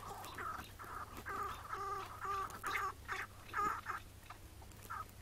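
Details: Chukar partridge recorded on a May 2017 morning while being trapped, then released on the spot. Rough, nasal chuck notes repeat about twice a second in an uneven run, rising in strength midway, with a constant low hum beneath.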